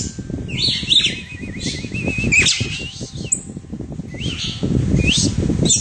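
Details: Red-cowled cardinal perched on a person's hand, giving high whistled phrases and a wavering trill over steady low rumbling and handling noise.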